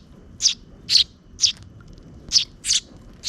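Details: Close to dusk, two sparrow chicks receiving food from a parent give six quick, shrill, high chirps in under four seconds, slightly buzzy, over faint low background noise.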